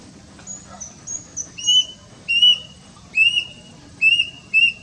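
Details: Kedasih, the plaintive cuckoo, captured with a Nikon Coolpix P900, giving five separate piercing whistles spaced under a second apart, each short and slightly rising, over a quiet low hum.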